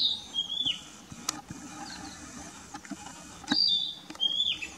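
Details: Narcissus flycatcher in Mukaiyama Park, Esashi ward of Oshu, Japan, recorded 12 May 2017 on a camera: a high whistled phrase at the start and another near the end, with faint clicks and rustling between.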